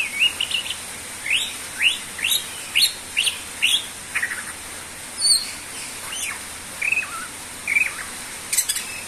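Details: A cucak ijo or greater green leafbird in lively song, meant to lure birds: a long series of quick upward-sweeping chirps, about one per second, with occasional higher thin notes and a couple of warbled twists near the end.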